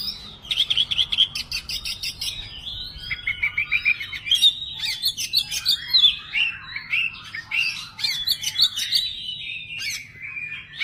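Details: Kacer, the Oriental magpie-robin, unloading its song material ('bongkar materi'): a long, unbroken stream of rattling trills, slurred whistles and scratchy chatter, constantly shifting phrases over about eleven seconds.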